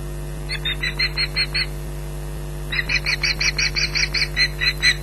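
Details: Female osprey guarding nest and young from an intruder at Loch Garten, 15 July 2011: two short runs of high, sharp yelping notes separated by a silent gap, over a low hum.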